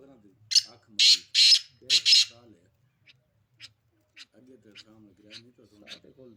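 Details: Sindhi black francolin giving a burst of four loud, harsh, rasping notes, then several faint, short scratchy notes, over a background of a man talking.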